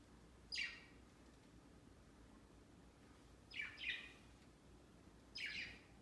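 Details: Several pet budgies flock onto a Christmas tree next to the cage on Christmas Day; three spaced, rasping descending chirps, the middle one doubled, separated by quiet indoor background.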